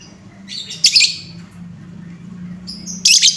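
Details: Lovebird lure call to excite an untrained bird: a harsh, shrill burst of squeaky notes, a quiet gap with faint high tones, then a second loud screechy burst at the end.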